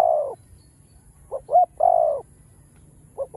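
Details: Spotted dove cooing: the tail of one long falling coo, then after a pause two brief clipped notes and another long, low, level coo, with a soft note starting again at the end.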